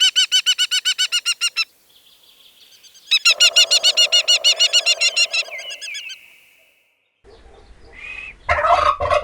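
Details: Turkey gobbling: two fast, rattling bursts of high, clipped notes, about twelve per second. A lower hum runs under the second burst, and brief mixed sounds come after.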